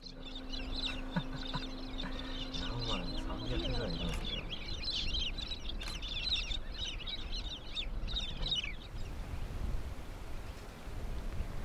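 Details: Wild Cloncurry parrots from a distinctively pale population in northwest Queensland give dense bursts of shrill, chattering calls for about nine seconds, with a steady low hum beneath the first four seconds. Quiet follows.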